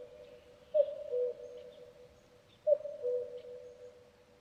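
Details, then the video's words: Two mellow, descending cuck-oo phrases from a common cuckoo, roughly two seconds apart, each trailing off in a long resonant hum, with soft distant bird chirps behind. "Cuckoo Bird Sound"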